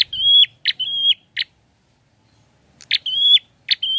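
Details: Two song phrases from a prinia, each a hard click leading into a steady high whistle, with a click after it. Near-silence lies between the phrases.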